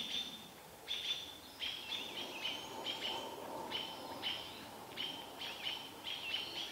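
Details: Mobbing alarm from American robins around a barred owl parent watched by its owlet, Vancouver: steady series of piercing, clipped chips, some doubled, repeated roughly every half second, with faint background rustle.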